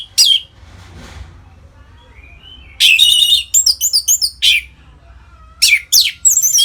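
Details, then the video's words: Loud ngeplong singing by an Orange-headed thrush, intended to stimulate caged birds: a single sharp note, then a dense, varied run of fast chattering and twisting whistled notes, followed by more falling phrases. "Suara Ngeplong ANIS MERAH Gacor Memancing Burung Agar Birahi dan Lanjut ke Tahap Teler"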